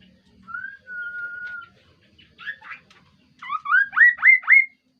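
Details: Kaso-kaso bird calling melodiously and actively: a long, steady whistle held about a second, then soft chirps, then four loud, rising, upslurred whistles repeated about every third of a second. The background is quiet.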